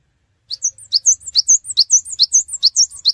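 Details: Cinereous tit singing as a lure to draw responses from other birds: a fast, steady run of high, sharp two-part chirps repeated about twice a second for nearly three seconds, clear and uninterrupted.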